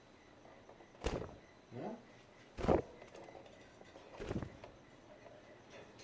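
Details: A few passing vehicle swooshes and a brief murmur of voice over low background hum, with no animal sound heard.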